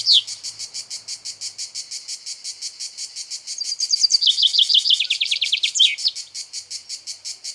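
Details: Common chaffinch male in Greek nature, singing from a pine. A short high note is followed by an accelerating run of notes that drops into a rattling trill and ends with a sharp flourish. A constant throbbing insect chorus runs throughout.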